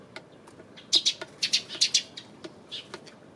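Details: Eurasian tree sparrow recorded 28 May, a cluster of about six loud high chirps in the middle, with softer chirps and clicks before and after.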